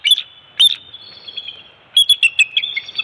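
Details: Bald eagles at a nest cam on Captiva/Sanibel Island, Florida, at an early-morning shift change and fish feeding of two-week-old eaglets, Dec 27, 2020; high, thin whistled chirps, two quick bursts, then a rapid run of piping notes.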